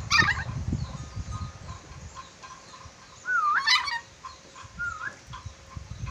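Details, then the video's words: A Sulawesi red-breasted parakeet gives a wavering whistled note next to a burst of harsh chatter, then a shorter clear whistle, with faint high chirping behind. "Nuri dora sulawesi pintar bersiul, nuri dora banyak siulan"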